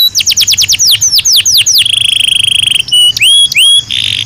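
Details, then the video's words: A Belgian canary sings naturally: a quick run of downward-sweeping whistles gives way to a steady buzzy trill, then sharp rising whistled notes. Recorded for daily stimulation and song training of canaries. "Som de 1 Hora com Canario Belga Cantando Naturalmente"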